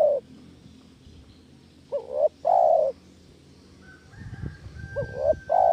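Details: Spotted dove coos played as a lure to catch doves: long soft coos alternating with rising two-part notes. A faint high whistle and low rustling noise appear late.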